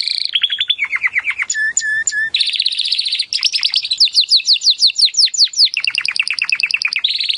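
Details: Timbrado canary singing for training: rapid descending trills, pure sustained whistles, then long rolling and buzzy trills with fast repeated downward-swept notes, continuous throughout.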